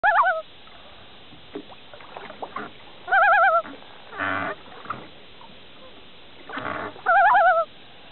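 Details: Loon giving three loud, quavering, rapidly warbling calls spaced a few seconds apart, each a wavering tone with strong overtones; short bursts of broadband noise and faint knocks in between.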